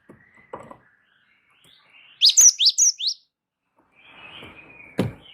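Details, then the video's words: Gelatik wingko, a Java sparrow, singing in a continuous rolling style to tutor and trigger other birds: a quick series of five bright, falling chirps, preceded by faint soft notes and followed by a low, breathy warble and a click. "gelatik wingko gacor ngeroll pancing bunyi suara masteran burung gelatik"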